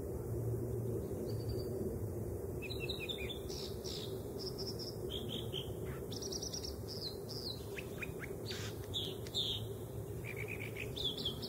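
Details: American dipper, called water ouzel, singing: a long run of varied short whistles, trills and sharp notes, high and repeated in quick phrases, over a steady low rushing roar of water.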